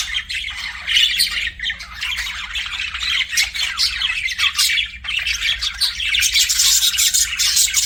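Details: Budgerigar chirping in a steady, dense stream of scratchy warbles and squeaky chirps that overlap without pause for the whole stretch, a busy chattering sound with no other noises.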